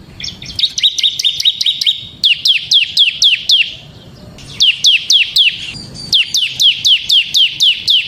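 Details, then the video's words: Semi-type bar-winged prinia in full ngebren song used to lure and tutor other prinias. A quick trill is followed by long series of sharp, downslurred chips at about four per second, broken by one short pause. "suara burung CIBLEK SEMI GACOR Ngebren Ampuh untuk Pancingan Ciblek Kristal dan Masteran Ciblek"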